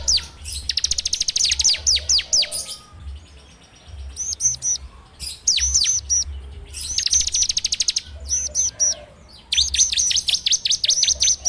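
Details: Ciblek (bar-winged prinia) in 'ngebren' song, recorded on Android as a bird-training lure: rapid strings of high notes mixed with slurred, downward-curving notes, coming in bursts with quieter gaps between them.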